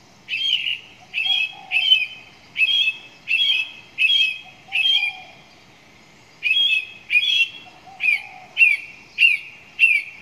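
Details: Song thrush repeating one ringing, slightly buzzy phrase about every half second to second, a dozen times with one short pause, with faint lower notes underneath.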